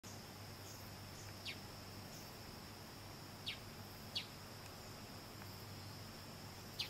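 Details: Stuhlmann's double-collared sunbird (Cinnyris stuhlmanni) in Nyungwe Forest National Park, Rwanda, March 2013: sharp, high, downslurred tsip notes spaced irregularly every second or so, over a steady insect hum and low background rumble.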